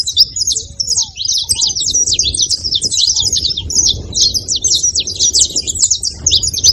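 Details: Steady high-pitched chattering of a saffron finch, crowded short chirps following one another without a break, with a few faint lower whistles near the start.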